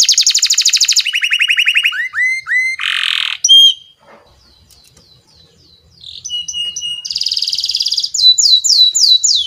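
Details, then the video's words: Canary singing to lure and train young canaries: very high fast trills, a lower rolling trill, a harsh buzz and whistles, a near-silent pause, then clipped notes, a high buzzy trill and swooping whistles. "KENARI GACOR DURASI PANJANG, SUARA BURUNG KENARI PANCINGAN MASTERAN PAUD BIAR GACOR PANJANG"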